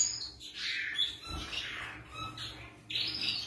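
Masked finch giving a string of harsh, nasal, buzzy notes, four or five bursts in quick succession over a faint low hum.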